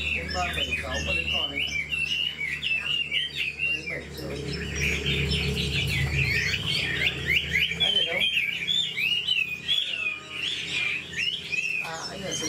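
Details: Old wild-caught Chinese hwamei singing long, rapid passages of mixed whistles and chattering notes, while low voices talk in the background midway through.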